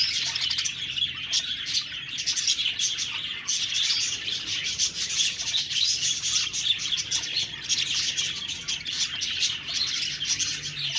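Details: Budgies chirping and chattering in a dense, continuous high-pitched warble with rapid overlapping twitters and no pauses over the whole stretch.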